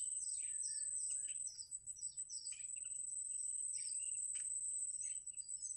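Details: Newly hatched bittern nestlings in a wild nest beg for food with a rapid run of thin, high chirps and squeaky notes, over a steady high insect whine.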